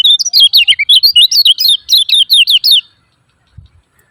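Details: Lemon-bellied white-eye 'ciak ciak' lure calling for silent caged white-eyes: nearly three seconds of loud, rapid, high twittering chirps in steady succession, then quiet.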